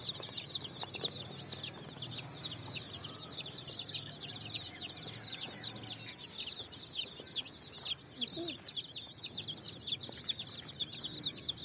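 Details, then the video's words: Coloured chicks out of cardboard boxes, running over sand and finding food as the evening sun shines: an unbroken chorus of thin, high, downward-slurred peeps from many chicks, with a low hum beneath. "Chicks Chirping"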